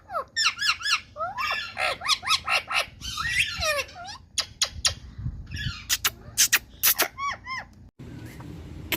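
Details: Pet green ringneck parakeet in India chattering and talking nonstop: dense runs of harmonic squawks, rapid sharp clicks and curved whistled notes, with a low background rumble.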